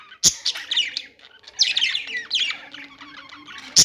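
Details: Budgies chirping: a scratchy, busy warble of short chirps and squeaky notes in bursts, with brief quieter gaps and sharp clicks near the start and end.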